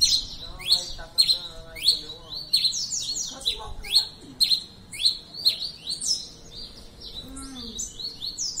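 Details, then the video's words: Red-crested finch, known locally as tico-tico-rei-cinza, singing steadily: short high chirpy phrases with downward-sweeping notes, repeated about every half second. A faint low hum runs underneath. "Tico tico rei cinza cantando muito"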